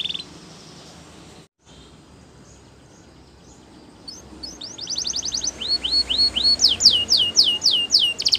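A Belgian canary sings bright, high chirps that start faintly, then grow into fast, loud, repeated sweeping notes, several each second.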